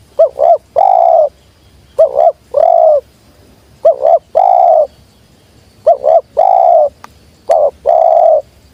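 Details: Spotted dove cooing, recorded as lure sound for wild doves: a quick double coo, then a drawn-out, slightly rolling coo. The three-part phrase repeats roughly every two seconds, clear and close, with little else audible.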